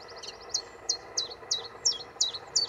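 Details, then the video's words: Common chiffchaff song recorded on Aylesbeare Common on 16 June 2020, sharp high chip-like notes repeated evenly around three times a second over a soft background hiss. "Chiff Chaff"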